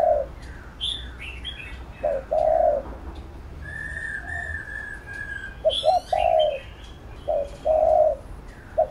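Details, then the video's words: Coos from a spotted dove meant to excite and train another dove. Short-then-long paired coos repeat at intervals, and higher chirps and whistles from other birds are scattered between them. "Cu Gáy THÚC GÙ Siết Bổi Đẳng Cấp"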